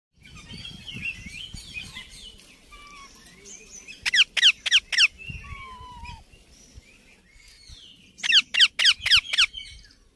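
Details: Baby ringneck parakeet calling: bursts of four or five loud, harsh, rapid notes repeated in two series, with softer chattering chirps and a low drawn whistle between them.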